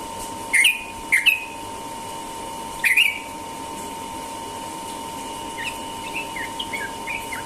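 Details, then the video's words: Morning 'ropel' song of a Sooty-headed bulbul in Indonesia: three loud, sharp chirped notes with clicks, then a soft run of quicker, fainter slurred notes toward the end. "burung trucukan ropel pagi"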